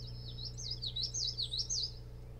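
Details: Osprey at a nest-camera site on Hog Island near Bremen, Maine, recorded at night in late June; a quick run of high, slurred whistles swooping up and down, roughly six notes in two seconds, over a steady low hum.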